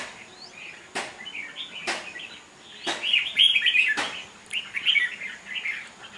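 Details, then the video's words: Competing red-whiskered bulbul in a cage sings twittering whistled phrases, while sharp cage clicks sound roughly once a second. "Kè Chim Thi Chim Mộc Đấu Hót"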